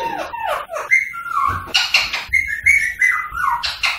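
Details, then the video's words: Rose-ringed parakeet whistling and chatter meant to stimulate singing and mating: rising and falling whistled slurs, sharp clicks and harsh bursts in quick succession, likely indoors. "تعليم ببغاء الدرة التغريد والغناء والتصفير والطقطقة للتحفيز على التغريد والتزاوج الدرة الهندي"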